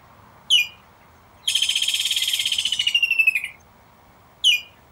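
A kingfisher gives a shrill, harsh rattling trill of rapid notes lasting about two seconds, between single sharp high chips.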